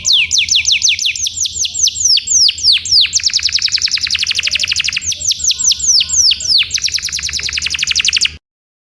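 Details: Canary tutor recording of ornate 'isian' song for training birds to sing: rapid series of sharp, descending whistled sweeps about four per second, shifting into denser trills and back, loud and clean before stopping abruptly.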